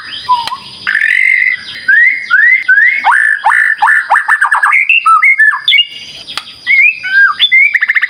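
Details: Lure song of a white-rumped shama, meant to provoke caged shamas into answering: a long run of bright upslurred whistles, fast stuttering repeated notes and sharp chips, varied phrase after phrase with short pauses.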